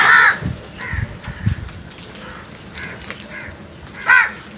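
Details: Frightened crows cawing loudly: a harsh call at the start, softer caws in the middle, and another loud hoarse caw near the end, with low thumps and background hiss.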